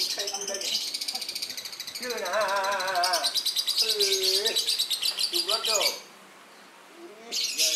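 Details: Captive-born lovebird in breeding condition, singing: rapid sharp high chirps repeated about three times a second, mixed with warbling, wavering lower notes, then a brief pause and a final burst of shrill chirping.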